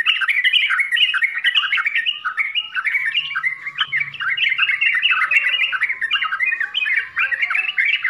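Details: Sooty-headed bulbul delivering a loud 'full isian' song for beginners: nonstop rapid chattering and bubbling notes, dense and vigorous throughout.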